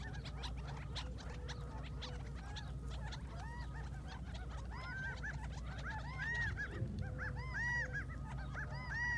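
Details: Several quail waking up in the morning in the Mohave Desert make a racket, recorded from a distance on an iPhone: arched, rise-and-fall nasal notes repeated and overlapping, growing louder near the end, over dense clicking chatter and a steady low hum.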